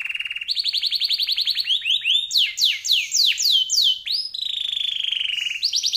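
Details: Canary pouring out a varied, drawn-out song for tutoring songbirds: rapid vibrating trills, a string of loud rising-then-falling swoops, and a long steady buzzy roll before a brighter trill resumes.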